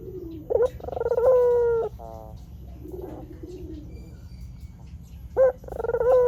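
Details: White Barbary dove, a lure-recording bird, giving a complete coo of short note, rolling trill and long falling tone, then a quiet pause with soft low murmurs, before the next coo starts with its sharp note and rolling stutter.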